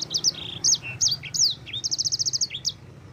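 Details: Yellow-fronted canary (sanger type) singing energetically, recorded as a tutor song for training other birds: rapid high, sharp whistled slurs and downward sweeps, ending in a fast run of about ten identical clipped notes, over a low steady hum.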